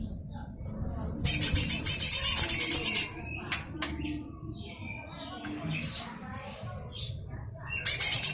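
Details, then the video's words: Lesser green leafbird giving a full rough, harsh song burst used as fill-in material for other songbirds: dense high buzzy trills in a long run, then scattered chirps and sweeps, a second trill burst at the end, low background rumble. "Full besetan kasar suara cucak hijau mini"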